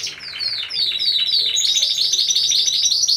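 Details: Timbrado Español song canaries in a four-bird team class at a 2015 singing contest. They give a run of high, downward-sliding whistles that merge into a dense, rapid, ringing trill.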